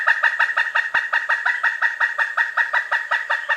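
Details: A pileated woodpecker's quick, regular string of loud, ringing kuk notes, roughly three per second, continuing steadily throughout.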